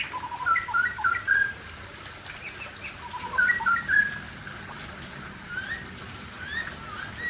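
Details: Aceh white-rumped shama singing soft whistled phrases with a few high thin notes, fading to faint distant calls against background noise.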